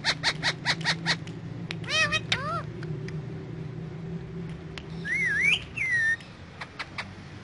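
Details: Pet ringneck parrot in the morning giving a rapid series of short harsh squawks, then wavering squeaky calls and a rising, looping whistle, with a low steady hum underneath.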